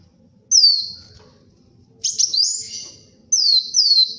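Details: Actively singing purple-throated sunbird, known locally as kolibri wulung, a recording for luring and tutoring: sharp, piercing high whistles that slide downward, given singly and in pairs with pauses of about a second.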